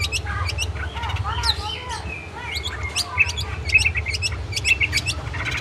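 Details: Long-tailed shrike song used as training material for kept birds: scattered high chirps and curling whistled notes over a steady low background rumble.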